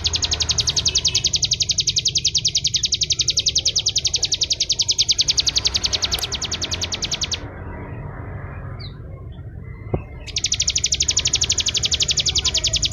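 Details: Bar-winged prinia, locally called ciblek kristal, singing in the continuous ngebreen style: a fast, even, buzzy trill of sharp high chips that runs for about seven seconds, stops for nearly three, then starts again, over low background rumble.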